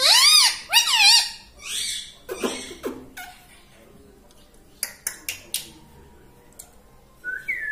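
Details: Speech-like parrot utterances from a talking pet tota, known for saying "mummy" and "papa": two loud arching harmonic syllables, then softer clicks and taps, with a short high note at the end.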